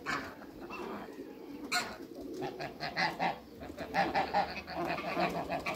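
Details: Eight domestic geese of the African and Toulouse breeds on a farm give short nasal honks about once a second, growing louder and more crowded toward the end, over a steady low background rumble.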